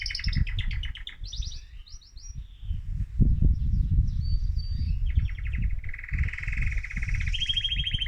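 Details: Song of an excited male mosaic canary, meant to stimulate other birds: quick chirped phrases, then steady rattling trills shifting from lower to higher pitch, over a steady low rumbling background noise.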